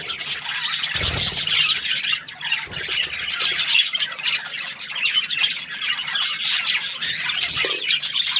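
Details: Cheerful budgerigar twittering: an unbroken flow of bright, scratchy chirps and small whistled squeaks, with a low thump near the start.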